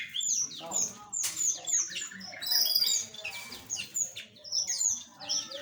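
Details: Dense chorus of small aviary birds: many overlapping sharp, high tweets and quick trilled chirps in rapid bursts, several birds calling at once throughout, with a faint low hum beneath.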